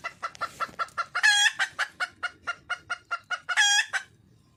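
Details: Wild red junglefowl hen seeking a male: rapid, regular clucks about four per second, broken twice by loud, harsh, harmonic-rich cackling squawks.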